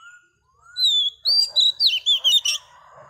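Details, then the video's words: Wild-caught female Oriental magpie-robin singing to stimulate males: a clear, slightly falling whistle, then a longer high whistle and a quick run of varied, rising and falling whistled notes. "Choè than mái bổi lên giọng hót kích trống cực chất"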